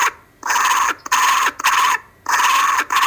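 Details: Loud kookaburras heard on a live camera in Australia, 5:55 pm on Monday 12/10/12: three strong, harsh cackling bursts, each under a second long, separated by short quiet pauses.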